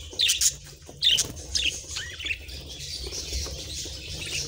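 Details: Several pet budgerigars nibbling treats; two bursts of sharp high chirps early on, then a soft continuous chattering warble with small clicks from eating.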